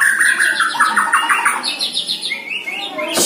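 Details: Year-old caged white-rumped shama sparring in song with a neighbour's bird during early training, delivering a fast series of repeated clear whistled notes, later climbing into higher trilled phrases, ending with a sharp burst.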